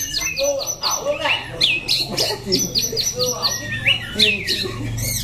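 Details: White-rumped shama, Daklak, Vietnam, September 2015, singing a lively mix of whistled upsweeps, downslurs and short chips in irregular phrases, with a low hum in the background.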